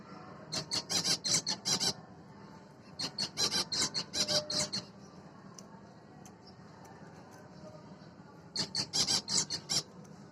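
Zebra finches give rapid bursts of nasal, toy-trumpet beeps, several in quick succession.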